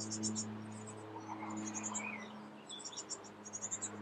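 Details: Great tit calling on an evening dated 2 6 15, near a nest whose young are probably close to fledging: bursts of very high, thin chirps repeated in quick clusters, several a second, over a steady low electrical hum.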